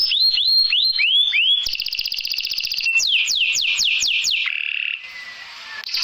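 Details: Canary song played as a filler track to prompt a lazy, silent canary to sing: rapid downward-swept whistles, a buzzy rolling trill, a run of looping notes, then a held steady tone.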